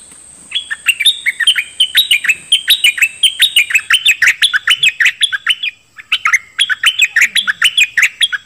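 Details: Dok Taeng bird singing, used to train young birds and make them lively; long, rapid strings of bright chirps with upturned ends, one brief pause midway, and a thin continuous high tone throughout.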